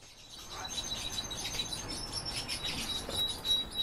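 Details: Goldfinch × canary hybrid singing: rapid, busy twittering of high chirps and trills, fairly faint, with thin sustained high whistled notes running through and a soft background hiss.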